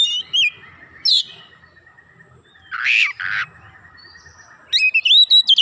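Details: Lively oriental magpie-robin used to trigger other birds, showing off its varied song: sharp high whistled slurs, a harsh rasping burst midway, then a run of quick rising whistled notes at the end, with a faint low hum beneath.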